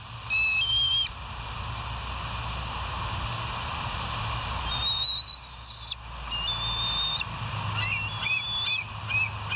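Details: Bald eagles at West End recorded on July 14, 2023 by a live nature cam, giving high, thin whistled calls in scattered bursts: a brief pair at the start, a longer level tone mid-clip, then rapid piping notes over constant hiss.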